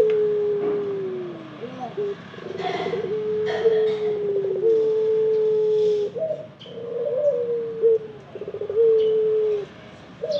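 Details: Barbary (ringneck) dove cooing: a series of low, drawn-out coos, each held steady then dropping slightly, about every two seconds, with faint soft notes in between.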